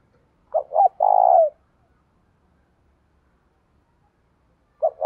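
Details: Spotted dove calling to challenge in the 'thổ' style: two short coos then a long, throaty coo, followed by a pause and the start of the next phrase.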